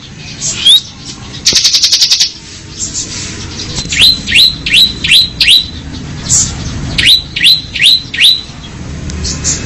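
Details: Bar-winged prinia in ngebren song: one rising note, a fast buzzy rattle of rapid pulses lasting under a second, then two runs of four or five sharp, upward-sweeping whistled notes in quick succession.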